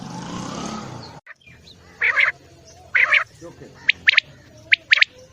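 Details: Quail calling, a recording meant to be played at night for quail hunting: after a second of low noise and a pause, short buzzy bursts sound singly and then in quick pairs, spaced under a second apart, over a quiet background.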